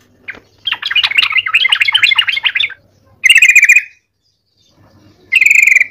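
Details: A yellow-vented bulbul in full song, used as a trapping lure, gives two seconds of rapid, bubbling chatter, then two loud, harsh, buzzy bursts about two seconds apart.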